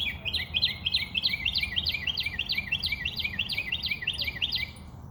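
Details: Quick, repeated high chirps from a bird, each a short sharp double note, delivered about three per second in a steady run before fading near the end.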